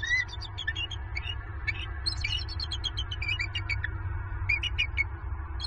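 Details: Female and male bald eagles at their Southwest Florida nest, 28 November 2022, giving alarm calls after an owl strike knocked the female from her perch; rapid high squeaky chittering, piping notes tumbling continuously in uneven bursts over steady low rumble.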